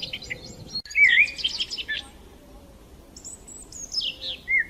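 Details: Morning chirping of sparrows: a loud wavy whistled phrase with tangled twitters, a quieter stretch, then thin high descending notes and a final clear chirp.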